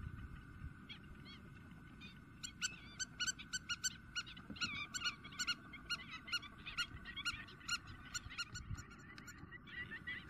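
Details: A Spur-winged lapwing in Greece, April 2023, calling intensely. Sparse notes at first build into a dense, rapid run of sharp metallic notes, about two per second, with overlapping chatter and a constant low rumble.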